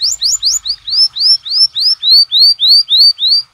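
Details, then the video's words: Canary tembakan song, a masteran recording used to provoke other canaries into singing: a steady run of loud, high, upward-sweeping whistled notes, about three to four per second, growing slightly longer toward the end. "MASTERAN TEMBAKAN KENARI"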